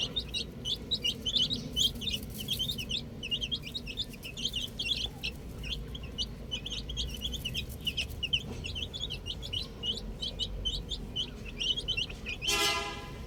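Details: Baby chickens playing with a ball produce a long, busy chorus of shrill chirps, rapid overlapping peeps throughout, ending with a short harsh buzzy burst.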